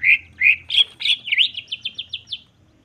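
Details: Greater green leafbird singing to provoke: two warbled phrases and a swooping note, then a rapid, even series of about eight short rising whistles fading out.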